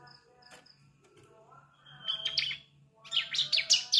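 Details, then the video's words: Young bar-winged prinia (ciblek) just starting to learn to sing, its chirping used to trigger adult birds to sing: faint low notes, then two bursts of high, rapid, scratchy chirps near the end. "Suara Ciblek Anakan, Pancingan Gacor Ciblek Dewasa"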